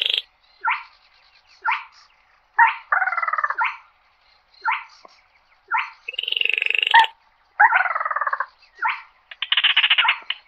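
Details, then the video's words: A slaty-breasted rail calls the flock with a run of short croaking notes about once a second, mixed with several harsh buzzing trills, some lower and some higher. "Tiếng Chim Quốc Lùn Miễn Phí || Tiếng Chim Gõ Ghẽ Gọi Bầy"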